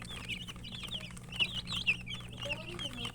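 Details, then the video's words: Young chicken chicks chirping as they eat; dense overlapping high thin peeps in quick succession, a few louder sharp notes, over low hum. "Murgi chicks Chirping sounds and eating"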